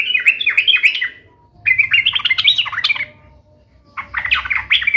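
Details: Lively sooty-headed bulbul song intended to make other pet bulbuls answer: three bursts of fast, tumbling chattered notes, each lasting about a second and a half, divided by short pauses.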